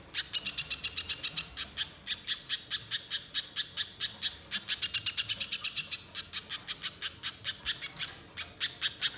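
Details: Banana spiderhunter uttering long unbroken runs of sharp, scratchy chip notes, rapid and rhythmic, with brief pauses between bursts; used as a lure to get a bird singing loudly and continuously.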